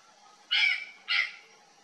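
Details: Purplish jay startled by something strange in the bush, giving two short, harsh, rasping calls about half a second apart over a quiet background.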